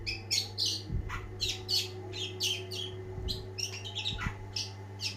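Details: Long-tailed shrike in lively song, a rapid jumble of scratchy chirps and short harsh notes tumbling out in uneven bursts, with a constant low electrical hum behind.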